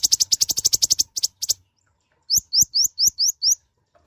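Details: Mouse-colored sunbird, known locally as kolibri ninja or konin, a tiny nectar-feeding bird with a loud voice, singing actively: a fast string of sharp high ticks, then a short pause and six rising, whistled upslurred notes in even succession.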